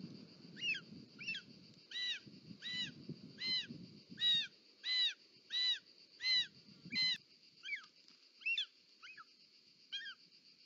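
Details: Short-toed snake eagle calling at the nest, Parc Natural dels Ports, Catalonia, 18 July 2024, as the mother brings a snake: about fifteen arched, ringing whistles repeated roughly every 0.7 seconds, with heavy rustling and scraping during the first seven seconds.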